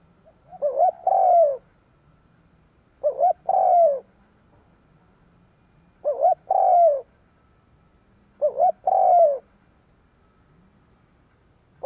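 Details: Spotted dove calling to lure wild doves: four phrases spaced about two and a half seconds apart, each a quick stuttered lead-in followed by a long, rich, downward-curving coo, with a faint low hum beneath.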